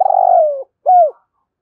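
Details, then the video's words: Fragment of a morning spotted dove decoy's 'thổ sấm' coo meant to draw wild birds: a long, low, vibrating coo sliding slightly downward, a brief pause, then one arched, falling note. "Chim Cu Mồi Gáy Gọi Chim Bổi Buổi Sáng"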